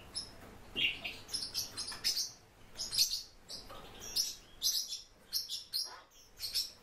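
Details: Japanese white-eye (Zosterops japonicus), a kept bird, giving a quick series of short, thin, high chirps and twitters in clustered bursts, with brief pauses between groups and a faint low hum behind.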